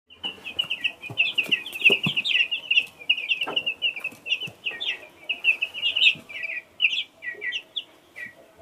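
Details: Chicks, two kinds, give a dense, continuous chorus of high, thin peeps, many overlapping short notes with a few louder descending cheeps, plus faint clicks and scratching in the background.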